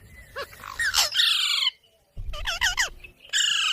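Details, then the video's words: Green parrot talking with harsh, buzzy squawks and looping chirps, broken by a brief silent gap midway, then a sustained grating call. "Parrot Talking video| Green Parrots moments"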